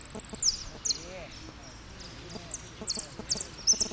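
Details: Saffron finch singing repique-style song in a contest at Merlo, placing third, 03/01/2016; short, bright, high buzzy-whistled notes in spaced bursts, with a long quiet gap and low murmuring voices beneath.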